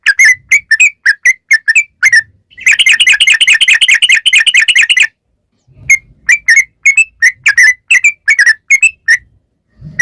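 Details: Sooty-headed bulbul (trucukan) song for luring bulbuls to sing: spaced bubbly notes, then a dense rapid chatter lasting about two seconds, a pause, and more separate short notes; faint low thumps in the background.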